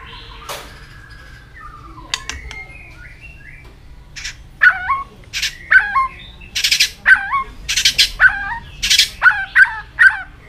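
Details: White-rumped shama, chòe lửa, at peak form in fighting-style song while flicking its tail, gives faint whistles and then a run of short, sharp, repeated notes with sliding tails, interspersed with loud harsh rasping bursts, about once per second.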